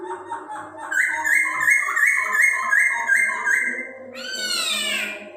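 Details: Chinese hwamei song with a quick series of bright repeated notes, about three per second, stepping steadily, ending in a rich descending harmonic sweep. A faint low hum runs underneath.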